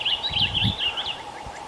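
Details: A first-year male blue grosbeak at Higbee Wildlife Management Area, Cape May, New Jersey, sings a quick, rich warble of high, rising and falling notes for about a second, over a steady low hum and faint rustling.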